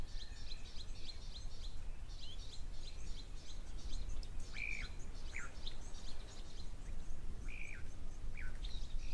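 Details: Blue waxbills at Rosie's Pan, picked up by a live camera: rapid series of high, thin chirps repeated throughout, with a few lower slurred notes from other birds over a steady low rumbling background.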